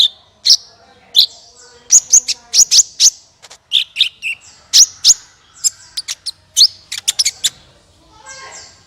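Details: Sunbird in full song, used to prompt other birds to sing: bright, very high chirps delivered in quick pairs and clusters, interspersed with short thin whistles, fairly continuous throughout.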